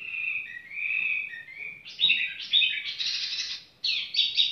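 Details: Casual song of a tiểu mi bird, opening with steady mid-pitched whistles, then jumping to loud, higher, slurred warbled phrases broken by a short pause.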